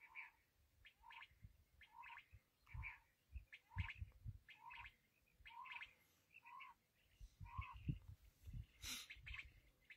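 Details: Black francolin voice: steady series of grating, two-toned phrases repeated about every second, each with a buzzy lower element and harsher upper notes, amid low thumping noise and a short hissy burst near the end.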